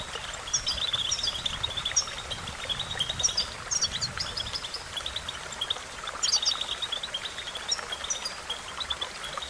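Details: European goldfinch singing in a training recording, with a fast, liquid chatter of high twitters and a dense buzzing trill running underneath, against a constant background hiss.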